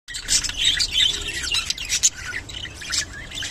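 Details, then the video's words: Rainbow budgerigar giving its mating call: a dense, continuous high-pitched warbling chatter of rapid chirps, squeaks and short squawks running without pause, with a few brief louder peaks. "rainbow budgerigar mating call and sound"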